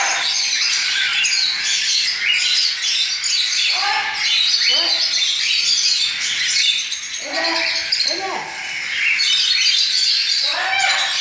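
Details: Cockatiel chicks, recently fledged, begging while being hand-fed formula; continuous raspy, hissing high-pitched begging from several young birds, with brief bursts of a man's speech now and then.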